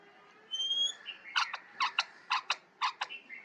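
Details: Parrot calling: a high whistled tone, then a series of short harsh squawks spaced about half a second apart, over a low hum.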